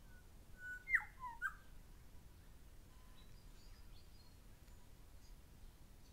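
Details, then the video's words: Grey shrike-thrush pair calling: a short clear whistle steps down into a lower note, followed by a brief fuller phrase. Faint high chirps follow later over a steady low background hiss. "Grey Shrike thrush pair calling"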